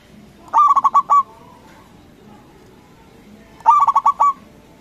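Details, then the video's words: Zebra dove of local stock, kept to goad rival doves into calling back: two bursts of quick, stuttering cooing notes, each a run of about five pulses, about three seconds apart, over quiet hiss. "Perkutut lokal Gacor Suara BESAR bikin Cepat Emosi Lawan Auto Nyaut Seketika"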